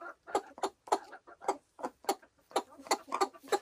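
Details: Silkie chickens on a small homestead farm in the Vermont hills: a run of low, throaty clucks and soft croaking notes, several per second, uneven in spacing and loudness.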